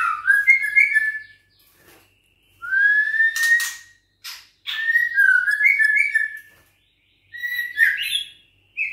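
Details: Juvenile White-rumped shama, six weeks old, of Bahorok stock, singing while caged and set against a rival. Clear rising whistles alternate with sharp, scratchy bursts and quick warbled figures, separated by short silences.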